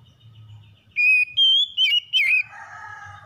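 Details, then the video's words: Oriental magpie-robin morning song: after a faint low hum, four loud clear whistled phrases, slurred and warbling, follow in quick succession around the upper mid pitch range, then a softer buzzy trailing note fades out. "PEMULIHAN KACER SETRES DENGAN KICAUN PAGI CEPAT GACOR"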